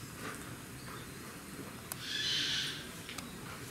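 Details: A pair of sun parakeets (male and female) at Rakujuen park, Mishima, Shizuoka, Japan, 24 November 2018; one gives a single harsh, hissing screech under a second long, with sharp clicks and a steady background hum.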